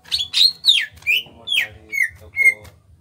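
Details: A small-bodied Greater green leafbird from Kalimantan sings a lively run of about seven loud, clear whistled notes, mostly slurring downward, roughly two per second, over a faint low hum.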